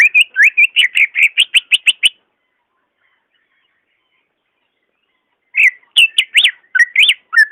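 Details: Greater green leafbird song, shared to prompt a caged bird that is slow to sing: a fast run of about a dozen clear whistled and slurred notes, two seconds of silence, then a second burst of rising and falling whistles.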